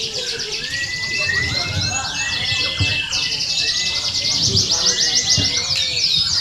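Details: Canaries at a songbird contest, used as training sound: a dense chorus of fast high trills and rapid chirped phrases from many birds at once, with a drawn-out whistled note, over a low murmur of voices.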